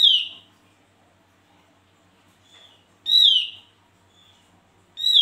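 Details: Javan grey-throated white-eye giving loud, clear, downslurred whistled notes, each brief and falling, repeated about every two seconds with soft faint notes in between.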